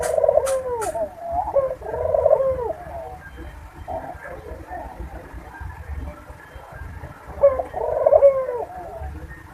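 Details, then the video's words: Barbary dove calling to bring doves into breeding mood: a few rolling coo phrases early, a quieter gap, then another coo near the end, over a low murmur, with clicks at the start. "puter kawin || pancingan burung puter agar cepat birahi"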